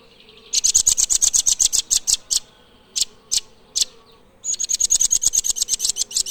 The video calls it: Blue Nuthatch Birdsong